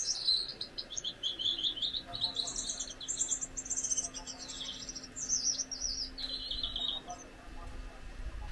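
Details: A pair of Gouldian finches; one sings a very high, thin series of buzzy, wavering notes and rising-falling whistles, running almost continuously for about eight seconds over a faint low hum.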